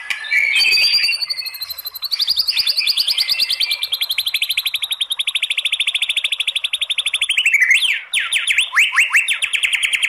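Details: White-rumped shama song in the kretekan style with a long 'tembakan' phrase, used to provoke singing; a sustained rapid rattling trill lasting about seven seconds, then a few steeply falling whistled notes.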